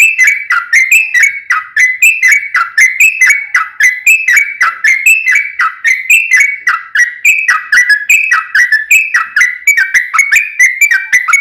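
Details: Sooty-headed bulbul fighting song, used to provoke another bulbul into answering. Loud, bubbly whistled notes are repeated rapidly and without a break, each dipping then rising.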